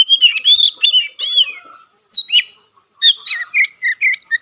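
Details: White-rumped shama singing, said to stimulate other shamas to sing; bright warbled whistles and rising-falling slurs in two bursts separated by a short pause, clean background.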